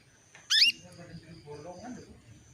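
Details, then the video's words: Female canary calling a male into breeding condition: a single bright, rising chirp, followed by faint low murmuring sounds in the background. "PANCINGAN KENARI BETINA MEMANGGIL JANTAN"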